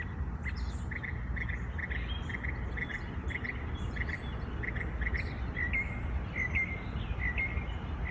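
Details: Several birds singing in the morning in their natural habitat; short paired chirps repeat steadily about every half second, with faint higher twitters above and a constant low rumble of background noise.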